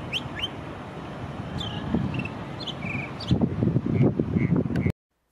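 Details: Northern Mockingbird, eastern North America backyard mimic, sings a run of varied, bright phrases, some rising sweeps given twice, then chirps and a short trill, over steady low traffic rumble.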